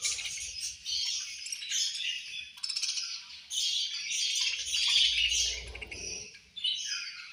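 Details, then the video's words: Several angry budgerigars at lunch time keep up busy, high-pitched chirping and squawks, overlapping into a constant chatter, with a muffled low rumble midway through. "Angry Budgies Chirping Sounds At Lunch Time"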